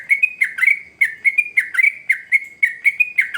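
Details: Sooty-headed bulbul in energetic, fierce song, used as a lure to prompt young birds to sing: rapid bubbly chirping notes, each swooping down then up, repeated in quick bursts about every half second over a quiet background.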